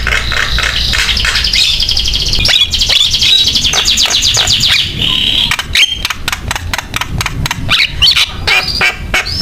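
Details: Javan myna singing hard as a lure for other mynas: a long buzzy, rattling phrase at first, then a fast series of sharp clicks and chips, about three per second, with occasional whistles.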